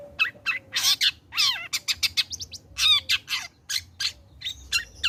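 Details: Long-tailed shrike, the cendet, after moulting in a lure recording meant to prompt singing: a rapid, dense run of harsh chattering notes, squawks and quick mimicked chirps with barely any pause.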